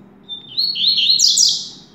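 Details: Caged double-collared seedeater from a Brazilian breeder, singing a fast, bright warbled phrase that starts with a thin whistle and climbs into dense twittering trills, loud and clear over a faint low room hum.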